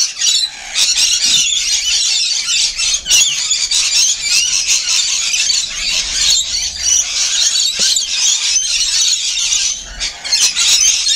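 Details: Rainbow lorikeets feeding, a flock giving dense, continuous shrill screeches and squealing chatter that overlap throughout, with brief louder bursts and no pauses.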